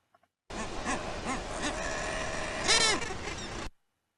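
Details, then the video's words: Common murres at a nesting colony, three call types together: the adow, the nod and the growl. Low arched croaking notes repeat, with a louder harsh growl near the end amid a dense, noisy colony din. "then this is an example of 3 different types of calls within the same clip, which are the adow, the nod, and also the growl vocalization."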